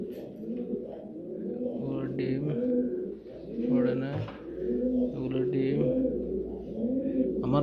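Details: Fancy pigeons of a Saudi Arabian breed kept in Noakhali, cooing indoors: low rumbling coos in repeated phrases with rising and falling tones, overlapping from several birds, with some human voices in the background.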